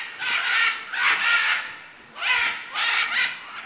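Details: Loud, hoarse macaw calls from Manu, Peru: paired rough screeches, each lasting around half a second, followed by a brief pause and another pair.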